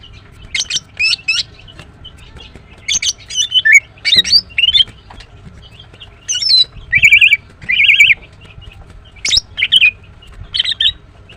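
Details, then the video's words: Female green cucak, or greater green leafbird, chirping energetically: repeated clusters of piercing, buzzy whistles and slurred notes, some paired, spread across the recording with short pauses between. "The female Green Cucak bird is chirping well"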